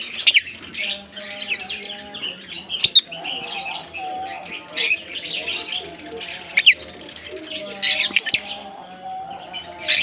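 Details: Colony of African lovebirds, a crowd of caged birds chattering nonstop in high, squeaky chirps and rasping squawks, sudden sharp peaks, over a soft steady humming tone.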